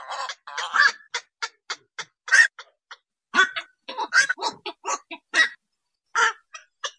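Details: A bird calling steadily with a quick series of harsh, clipped notes, some squeaky and some buzzy, tumbling one after another with short gaps across seven seconds.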